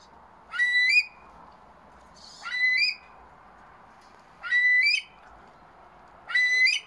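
A Himalayan monal gives four loud, rising, ringing whistled calls about every two seconds, each sweeping up then holding a strained note, over a faint steady background hum.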